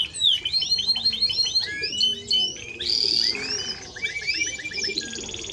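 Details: Timbrado Español canary song: quick repeated downslurred chirps, a metallic ringing whistle, then a fast series of rising notes, delivered loud and continuous over faint low cooing.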